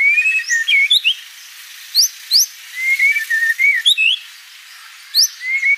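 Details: White-rumped shama song of clear whistled phrases, some rising steeply, others wavering and level, given in bursts with quiet gaps between them.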